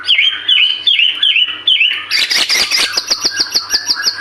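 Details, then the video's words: White-rumped shama song used as a lure to prompt other birds to sing: a run of short, clear, down-hooked whistles, then a burst of dense, loud chattering notes ending in fast, evenly repeated high notes. "Pancingan murai batu gacor 🔥 Burung auto bunyi"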